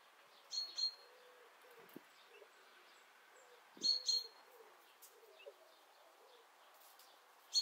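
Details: A pet pair of Japanese quail dust-bathing in warm weather give two short pairs of high, thin double chirps a few seconds apart, over soft scratching and faint rustling.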